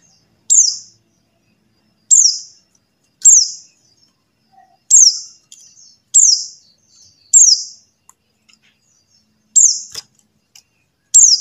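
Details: Series of eight sharp, high, down-slurred buxtoni white-eye calls spaced one to two seconds apart, with soft chatter between some of them. Used to spur white-eyes that have stopped singing.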